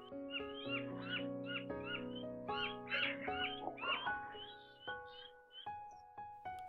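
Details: Yellow-throated Miners in the Darling River basin give quick, repeated arched notes, two or three a second, calling to gather a flock and chase Blue Bonnets from a flowering wilga tree they treat as their feeding territory; background music.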